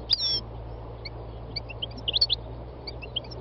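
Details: Wild European goldfinch heard giving a sliding note, then soft scattered high chirps building to a short cluster of brighter twitters, over continuous low background noise.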